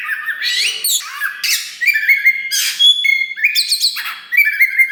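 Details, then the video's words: Loud caged Oriental magpie-robin of the black wulung form, used to provoke singing in other birds, pouring out a varied song of sliding whistles, steady pure notes and dense scratchy trills, quickly alternating. "KACER WULUNG RAJA LANGKA GACOR DOR !! BARU DORONG EKOR TAPI GACOR SUARA KERAS TOA || VOICE OF KACER"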